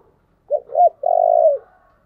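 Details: Spotted dove song used as a lure to attract wild doves: two short soft coos followed by a long, low, rolling purred note that falls slightly at the end, given once on a clean, quiet background.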